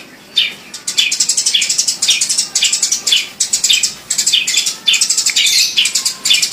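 A sparrow chirps loudly and almost without pause, a fast run of sharp, bright chips bunched into bursts about a second long.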